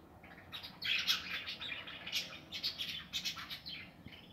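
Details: Aviary budgerigars at their nests, 2020: dense, continuous chattering of many birds, fast overlapping chirps and squeaks pulsing up and down without a break.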